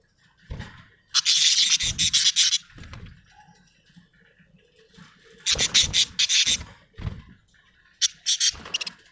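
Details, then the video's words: Happy budgerigar chirping in three bursts of rapid, harsh, buzzy chatter, each lasting about a second, separated by quiet gaps with soft low thuds and rustling. "happy budgie chirping sound"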